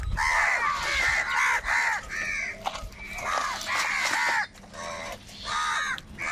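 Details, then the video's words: Crows quarrelling over food give rapid, very loud rasping caws, about three a second, several voices overlapping before a brief lull near the end. "Crow fight scene - Crow bird Fight for Food | very loud voice of crow sound"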